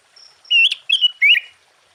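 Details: Sooty-headed bulbul singing with full repertoire to rouse other bulbuls: three short, rich, gurgling whistled phrases in quick succession, the last dipping lower.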